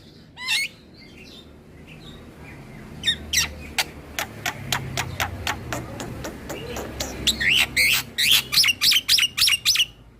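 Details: Black-winged starling bobbing its head in continuous song to provoke fellow starlings: scattered sharp clicks repeat steadily, building into loud rasping upswept notes near the end, with a low rumbling hum underneath.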